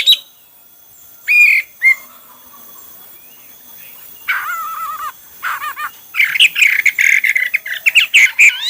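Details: Hwamei singing in varied styles: scattered loud whistles, then wavering, warbled phrases that build into a dense, fast run of chattering, whistled notes.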